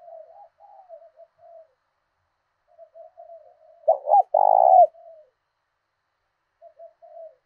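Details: Decoy spotted dove voicing the southern thổ đồng call to draw wild doves into a fight: soft scattered coos, then one loud hollow two-part coo phrase midway, fading back to quiet coos.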